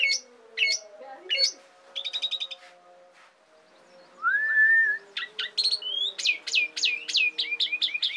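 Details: Asian pied starling singing as a training master for songbirds: sharp chips, a short buzzy rattle, a long rising whistle, then rapid repeated sweeping whistles and squeaks, with a faint steady hum beneath.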